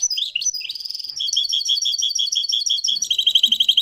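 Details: Live recording of a Moroccan goldfinch singing: sharp rising notes lead into a steady chain of rapid, bright chirps and trills, growing more emphatic toward the end, with almost no background noise.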